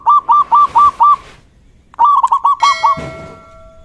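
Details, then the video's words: Male local zebra dove singing, used as a decoy and training call for other doves: two bursts of rapid, clear cooing notes, five evenly spaced then a quicker stuttered series, with a short humming tone at the end. "Suara perkutut lokal jantan GACOR"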